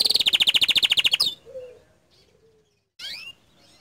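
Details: A canary gives a brief burst of gacor dor song: a quick, loud run of repeated high notes lasting about a second, then near-silence and a single short squeaky phrase.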